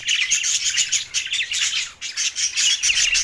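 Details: Lonely budgerigars in Larkana, Sindh, on June 7, 2024, giving a bright, busy run of high chirps and warbled twitters. Thin whistled notes are repeated, with a short gap at the two-second point.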